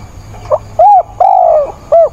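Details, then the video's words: Decoy spotted dove cooing in heavy rain on 28 October: a quiet lead note, a rounded coo, a long gently descending coo and a short final note, mellow and low-pitched, with rain hiss underneath. "mưa bão cu mồi gáy càng sung"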